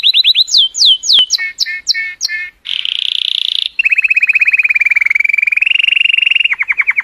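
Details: Song of a colour canary to stimulate females: repeated falling slurred whistles, a dense buzzy section, then a long rapid trill slowly rising and dipping.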